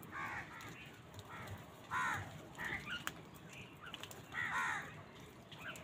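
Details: Many crows gathered on a winter morning, fighting for food, keep up a steady series of harsh, raspy caws, about one every one to two seconds. Several birds overlap against a constant outdoor hiss.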